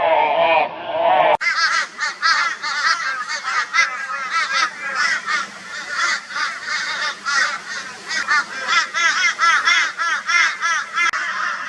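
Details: Crow flock mobbing a barn owl, Brisbane, Australia, 22 February 2022. Following a deeper opening call, quick harsh caws pulse rapidly and steadily for about ten seconds, several birds overlapping.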